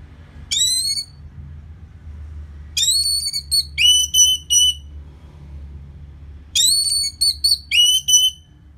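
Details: Orange-headed thrush song played to make a post-moult bird more aggressive: three bursts of clear, ringing whistled notes repeated quickly in short series, each note sliding downward, over a quiet low hum.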